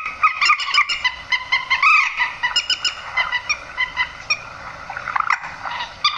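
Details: Harsh, honking grey-headed swamphen notes, played at night to bring birds into nets, pulse in quick uneven series, with a louder drawn-out squeal early and softer calls toward the end.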